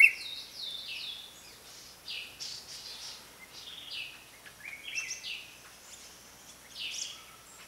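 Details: Red-whiskered bulbul, Pycnonotus jocosus, giving bright whistled phrases of slurred, stepped notes, some rising and some falling, in quick bursts with short pauses; a faint steady hiss lies underneath.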